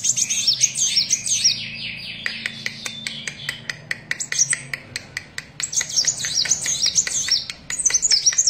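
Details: Vigorous song of a Van Hasselt's sunbird: fast, high, wavering whistled twitters at the start and end, separated by a stretch of crisp, regular ticking clicks.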